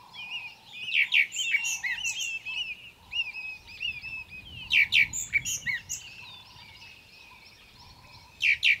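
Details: Golden-tailed woodpecker in Kruger National Park, South Africa, gives loud, harsh, nasal bursts, two spaced about four seconds apart, over a busy chorus of other birds' chirps and a low repeated hoot.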